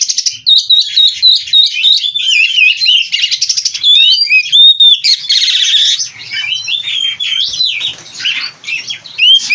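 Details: Captive oriental magpie-robin (kacer) in full 'gacor full isian' singing: a dense, rapid stream of varied high whistles, slurred upturns and buzzy trills, notes tumbling quickly with brief harsh chattering bursts.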